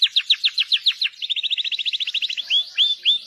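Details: Canary song in quick succession: a run of sharp downward chirps, then a faster buzzy trill, ending in a few slower, clear upslurred whistled notes.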